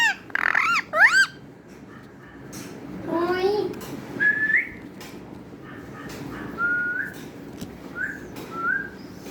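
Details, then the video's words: Talking parrot giving two loud, harsh harmonic calls at the start, a lower buzzy phrase, then several short whistled notes that slide upward, spaced with pauses against a quiet room background. "clear talking parrot"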